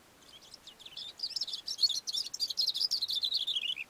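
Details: Cape grassbird singing from a rock on a mountain slope: a rapid, jumbled run of high, scratchy notes that rise and tumble over each other, building into a fast chattering phrase.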